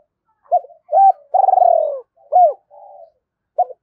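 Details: One full Hai Hậu-style lure phrase from a spotted dove kept to excite wild birds: clipped hooked coos, a drawn-out rolling coo sliding down in pitch, another hooked note, a soft hum and a final short coo.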